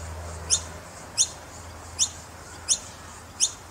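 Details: Baby noisy miners in Brisbane repeating piercing, brief high chips at a steady pace, five notes in under four seconds, with a low hum underneath.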